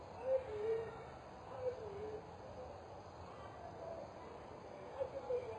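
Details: A mother spotted eagle-owl (Bubo africanus) visiting its nest, 22 October 2010, gives a few soft, low hoots in short pairs, spaced a second or more apart, over a steady hiss of background noise.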